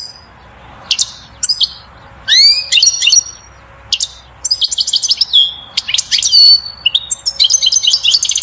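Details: Male-style goldfinch song aimed at stirring a female toward mating and nest building: lively, continuous high twitters, upward-sweeping whistles, dry buzzy rattles and tinkling notes in quick succession, with a faint low background hum.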